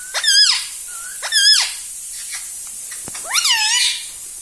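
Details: Household talking parrot giving two quick swooping harmonic notes, then a longer wavering phrase that falls and levels off, over a constant background hiss.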